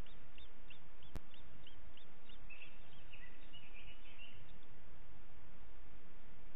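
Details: Booted Eagle in Parc Natural dels Ports, recorded 13 June 2021 at 08:52: a series of short, high, down-slurred notes repeated roughly every half second. A steady broad hiss sits underneath.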